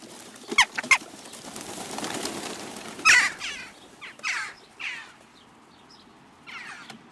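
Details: Jackdaw flock at a garden feeder in Recke, Germany, late June 2021; scattered sharp calls, a loud one midway, amid soft rustling and a faint background hum.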